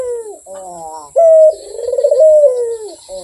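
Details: Barbary dove cooing persistently and melodiously: a short steady high note, then a rolling, pulsing coo that slides downward, with softer wavering coos before and after.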